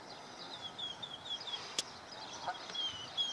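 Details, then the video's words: Canada goose goslings about 4 hours old at Jess Ranch Lakes Park, Apple Valley, California, give thin, high, wavering peeps in soft runs over a steady outdoor hiss, with a sharp click midway. "Canada Goose goslings around 4 hours old"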